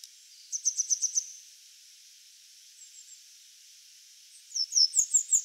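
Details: Grey wagtail singing while perched on a power line: a quick run of five or six sharp, very high notes, a faint pause with a few soft notes, then another fast series of high, slightly descending notes.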